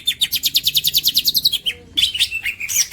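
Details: A champion green leafbird sings a masteran tutor song: a fast, high, buzzy trill of evenly pulsed notes, a brief pause, then a jumble of scratchy, squeaky phrases.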